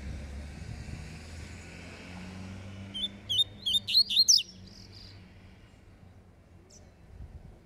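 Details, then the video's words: Double-collared seedeater in song dispute, falcone style: after a quiet stretch with low engine hum, a rapid run of about seven sharp rising whistled notes, bright and emphatic, then fading back to faint background noise. "COLEIRO FALCONE DISPUTANDO"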